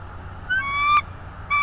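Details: Bald eagle at a nest watched by a live camera in Northeast Florida, 24 January 2022 at 16:40: thin whistled notes, one short and higher, then a long steady piping note ending abruptly, and another begins after a pause.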